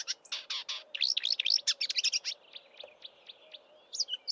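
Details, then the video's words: Marsh warbler singing from roadside bush in Eastern Cape, southern Africa, in March before migrating north, mimicking local southern African birds: a fast, dense burst of high chattering and rising sweeping notes, then slower spaced chips and a thin whistle. "Marsh Warbler mimicking Southern African birds in March before migrating north"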